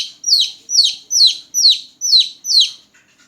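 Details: Newborn chicks chirping loudly at night, six piercing peeps that each drop sharply in pitch, spaced about half a second apart, fading out at the end.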